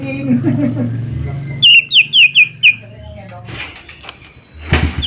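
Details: Lesser green leafbird (cucak ijo mini) used as a lure to prompt birds to sing: after opening speech, a quick run of about five sharp, high, descending whistled notes, then rustling and a final short note.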